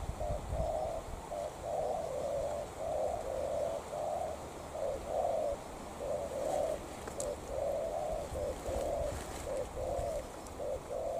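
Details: Two spotted doves, a decoy and a wild bird, in a calling duel: low soft coos come in quick succession and overlap in a steady run, with faint clicks and rustling behind.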